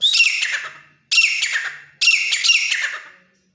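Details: Three loud, harsh, ringing calls from a Grey francolin, a desi jungle bird caught and kept at home. Each call starts strongly and fades over about a second.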